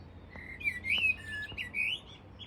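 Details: A bold common blackbird sings close by one morning at Flowersbrook on the Isle of Wight. It gives mellow, fluty warbled phrases that rise and fall, with short gaps between them, over soft outdoor background noise.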